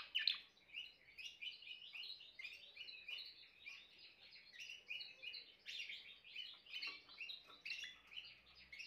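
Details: Timbrado canary song heard at a lower level with background hiss: a continuous chain of rapid warbled and trilled notes with no real breaks.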